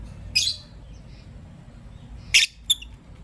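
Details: Lovebirds, green Personata and pastel white, heard in the morning giving two or three short, sharp, high chirps spaced over about three seconds against a faint low hum.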